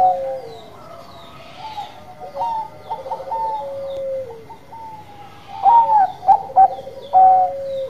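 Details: Zebra doves of Bangkok stock singing: a long, gently descending trilled coo opens, overlapping doves add mid-pitched notes, and loud clipped coos crowd the last seconds.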